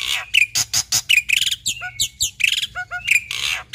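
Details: Black-winged myna pouring out a busy mimicking song: loud harsh squawky notes mixed with clear whistles, quick chirps and short sliding tones in close succession, with no other sounds.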